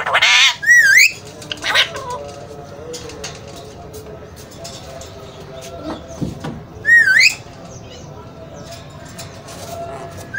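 An Alexandrine parakeet gives loud, harsh squawks, some ending in a wavering, rising whistle. There is a burst at the start, another shortly after, and a third near the end.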